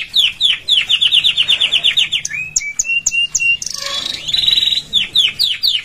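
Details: Canary singing a powerful song for training: fast rapid trills of high chirps, a few steady whistled notes, then buzzy rolls and more quick repeated notes, loud and continuous.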